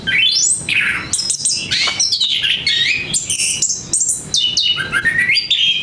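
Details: Anis kembang, the orange-headed thrush, in sweet song: loud sweeping whistles that rise and fall, mixed with sharp chirps and short trills in a steady unbroken stream.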